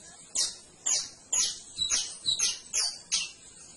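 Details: Canary repeating seven bright, high, downward-sliding chirps at a steady pace of about two per second.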